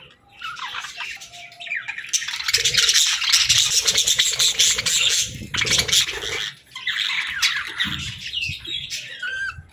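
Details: Baby budgies at play, a continuous rasping, scratchy warble of many birds chattering together, broken by a brief pause midway, with soft thumps and rustles underneath.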